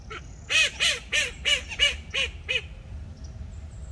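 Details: A Blue Fawn Call duck gives a run of seven loud, harsh, nasal quacks, about three a second, then falls quiet over a low background rumble.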